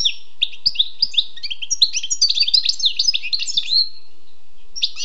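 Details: Wild European goldfinch singing a lively, unbroken run of twittering, slurred and buzzy high notes for about four seconds, then a short pause and a new phrase starting.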